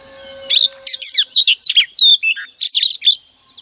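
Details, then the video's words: Female oriental magpie-robin song meant to prompt males each morning: after a soft start, a series of crisp chirps and whistles, some falling, some rising, repeated about twice a second with short gaps. "Kích choè than trống cực căng mỗi sáng | Choè than mái mồi quá hay"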